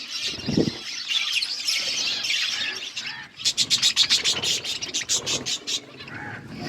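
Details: Budgies feeding together as a flock: continuous bright twittering chatter, then a run of sharp rapid clicks or chirps in quick succession, overlapping warbles throughout.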